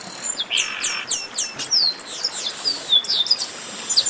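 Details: Chestnut-capped blackbirds in a flock chorus, a recording used to warm up other singing birds: many overlapping high sliding whistles and twittering notes over a steady hiss of background noise.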